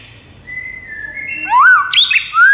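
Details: White-rumped shama master song used to lure rival shamas: a soft, level whistle building into loud, clear whistled phrases that swoop up and down, ending on a sustained falling note.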